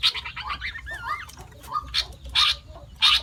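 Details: Sooty-headed bulbul imitating other birds, said to copy over five species: a rapid run of chattery notes, then wavy whistled slurs and a low whistle, followed by loud harsh bursts spaced about half a second apart over steady low background hum.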